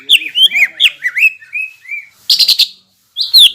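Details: Greater green leafbird in full lure song meant to provoke other leafbirds: a fast run of clear slurred whistles swooping up and down, then a burst of harsh buzzy chatter and a final high whistled note.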